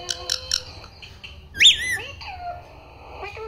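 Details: Parrot imitating the words "Mummy" and "Papa": three short sharp notes, a brief pause, then one loud swooping whistled syllable followed by softer trailing sounds.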